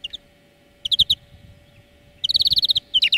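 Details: European greenfinch singing in a training lesson: scattered chirps, a quick group of four notes, then a longer rattling trill of about a dozen rapid notes and more twittering at the end.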